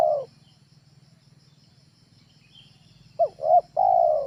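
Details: Spotted dove, a trained tekukur ajaran call for luring birds at home: the tail of one coo, a quiet pause, then two short abrupt notes and a long sustained mellow coo. Faint constant high hiss throughout.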